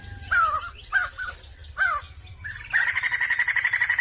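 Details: Sumatran laughingthrush (Garrulax bicolor) singing: slurred, descending whistled phrases about once a second, then a fast rattling, chattering burst at the end.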